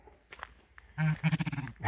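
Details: Blue grouse male, feisty and guarding its trail territory on the Skookumchuck Trail, gives a low drawn note then a quick series of deep throbbing pulses, while a hiker speaks softly and walks past.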